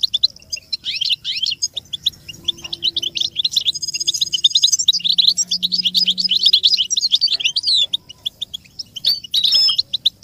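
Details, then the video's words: Goldfinch song tape for stimulating songbirds and teaching chicks: a fast, continuous run of high, tinkling twitters and short buzzy trills with hardly a pause, faint low tones humming underneath. "make your goldfinch sing"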